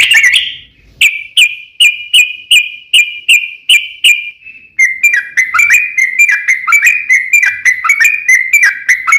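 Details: Lure song of a trucukan (yellow-vented bulbul): first a slow series of evenly spaced, clear whistled notes on one pitch, then a quicker run of slurred, dipping whistles packed tightly together.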